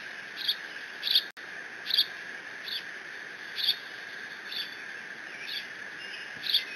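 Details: Decorah bald eagle nestling, 30 June 2017, mantling a fish delivered by its father; piercing high squees repeat every half to one second, some doubled, over a constant mechanical hum with a brief dropout.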